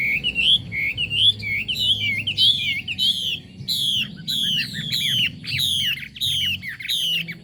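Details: Chinese hwamei singing: wavering whistled phrases give way to strong, repeated downslurred calls, each phrase arriving about every half second, bright and piercing above a faint low hum.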